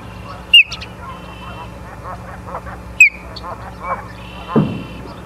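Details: Osprey nest in Charlo, Montana, 24 August 2023 at 17:43: two piercing downslurred chirps stand out about two and a half seconds apart amid softer murmuring chatter and a brief low thump.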